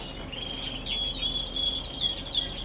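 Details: Brief burst of canary singing in November: rapid high chirps and a clear sustained whistle woven through quick trilled notes.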